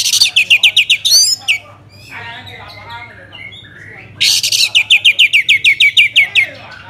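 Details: Orange-headed thrush from Bali, a lure for making other birds sing: rapid evenly repeated sharp chirping notes, about four per second, then softer warbled phrases, then another long even run of loud repeated notes.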